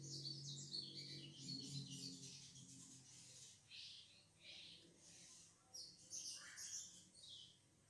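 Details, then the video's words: Crimson sunbird (sogon) lure song, played to draw a caged bird into singing: thin, high chirps and short tweets in irregular bursts, rising into brighter clusters near the end, over a low steady hum. "pancingan sogon bahan agar bunyi"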